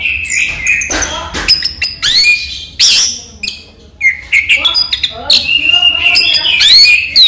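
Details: Daytime song of a caged orange-headed thrush, locally raja teler: rich, fast-changing whistles, rising and falling slurs and harsh squeaky notes in rapid succession, with a short dip in loudness midway.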